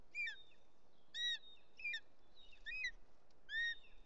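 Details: At a Bonelli's eagle nest in Catalonia's Els Ports Natural Park, 2 July 2023, late afternoon, a male with a snake meets a female by the chick. Bright, ringing whistled notes, some doubled, sound in quick bursts about every half to one second.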